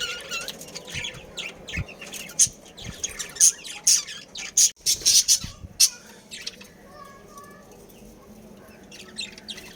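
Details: Budgerigars in a breeding colony, a pair with family kept in captivity: bursts of scratchy, high chirps and squawks in irregular clusters, louder in the middle, with quieter twittering between and a low background hum.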